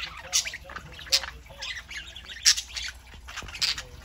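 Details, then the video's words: Saturday-morning chatter from pet parakeets: four sharp, bright squawks roughly a second apart stand out above softer, murmuring warbles in the background. "Parakeets Saturday morning"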